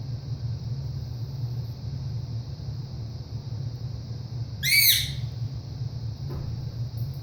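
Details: A single sharp, grating squawk from a male pet ringneck parrot kept indoors, given when its owner leaves the room, heard against a constant high whine and low background hum.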